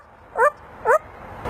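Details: A captive African grey parrot, asked to bark like a dog, mimics a dog's bark: two short, rising, yappy barks half a second apart, followed by a soft noisy burst.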